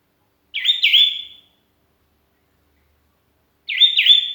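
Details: Sooty-headed bulbul calling to companions while alone, a lure recording: two liquid double-noted whistled phrases about three seconds apart, with clean silence between.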